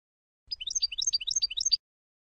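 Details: Sfax-style song of a Tunisian European goldfinch, recorded for tutoring: a lively, regular series of quick rising and falling chirps repeated in short groups, with a faint low rumble underneath.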